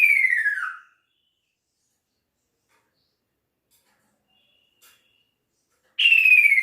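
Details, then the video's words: Male kaso-kaso bird calling to its female: a long whistled note sliding down from high to lower pitch, fading out, then a silent gap of about five seconds before the next identical falling whistle begins. "Kicau Burung Kaso Kaso Jantan Memanggil Betinanya"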